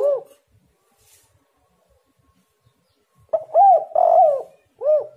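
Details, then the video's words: Spotted dove cooing, recorded as a lure so that other doves answer: one soft low coo, a pause of about three seconds, then a longer, rolling two-part coo and another short coo, in a quiet setting. "derkuku super gacor bikin lawan langsung nyaut"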